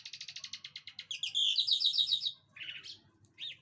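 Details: Mushadi Irani jal lark singing: a rapid, rattling trill of buzzy notes that runs into a denser warbled phrase, then a pause and a couple of short buzzy notes.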